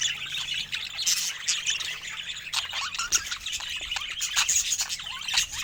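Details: Chattering pet budgies: a continuous, dense mix of scratchy chirps, short squawks and quick warbling notes from several birds at once.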